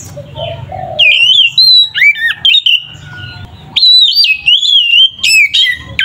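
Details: Kacer (oriental magpie-robin) ngeplong fighting song for provoking other magpie-robins: loud clear whistled phrases, wavering and sliding, with steep upward sweeps, broken by short quiet gaps and faint low hum.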